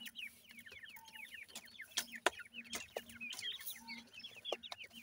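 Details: Francolin chicks 28 days old feeding in a yard: rapid series of thin, descending high peeps, several chicks overlapping, with sharp broadband clicks and a steady low hum beneath.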